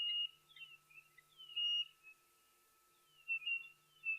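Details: Chinspot Batis at a waterhole on 31 October 2023, with probably more than one bird calling and one very close: clear, high whistled notes in short bursts, some sliding down, over a faint steady hum.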